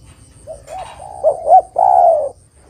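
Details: Lure song of a spotted dove to draw in wild doves: soft rising coos build into two louder hooked notes, ending in one long, slightly falling coo.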